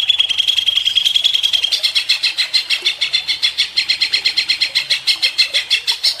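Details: Greater green leafbird (cucak ijo), a lure recording meant to provoke agitated, nonstop 'ngentrok' singing: a fast, even rattle of sharp chipping notes, about seven per second, with the pitch stepping higher after the first second and a half.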